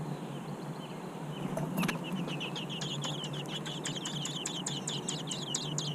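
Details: American robin nestlings, large and in the nest, give a fast run of thin, high, squeaky begging notes that grow more insistent, over a steady low rumble of background noise.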